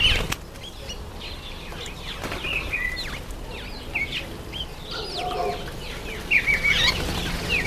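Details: Busy chattering of Southern masked weavers (Ploceus velatus) in September–October breeding season: quick high chirps, whistled notes and swizzling buzzes tumble over one another, several times a second, over a low background rumble.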